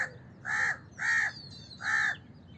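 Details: Three loud, harsh, slightly drawn-out caws from a house crow, clear and close, with little else heard.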